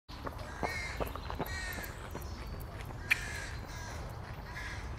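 A crow gives a few harsh, hoarse caws, spaced irregularly over five seconds, against a steady low rumble and some sharp clicking noises.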